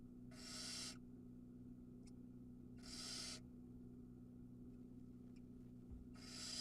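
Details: Barn owl nestling on a live cam at Ram-on, Israel, swallowing an entire mouse during feeding; three drawn-out raspy hisses spaced about two and a half seconds apart, with faint clicks between and a low constant hum.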